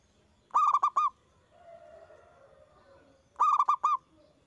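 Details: Loud-singing local zebra dove in a recording meant to stimulate other doves to sing. Two staccato phrases of about five bubbling coo notes, with a faint softer bird call between them.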